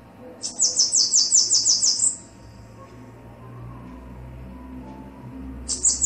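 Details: Bananaquit song from a male and female: a rapid series of about a dozen very high, thin buzzy notes over under two seconds, then a fresh burst begins, with a faint low hum beneath.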